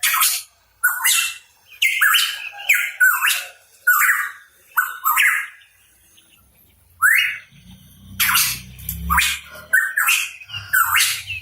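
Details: Energetic song of a hooded pitohui (cucak rawa papua): rapid loud phrases mixing rough bursts with rising whistles, a pause of about a second, then the series resumes over a low rumble.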